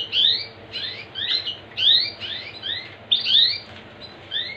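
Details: Canary singing to coax other canaries into song. High, sharp down-slurred notes come in tight groups of two or three, with short gaps between bursts, over a quiet background hum.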